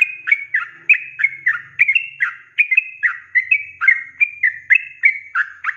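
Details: Sooty-headed bulbul singing a continuous 'ropelan' sequence used to tutor cage birds: bubbly, fluty notes in rapid, uneven succession, about three per second, with a faint low rumble underneath.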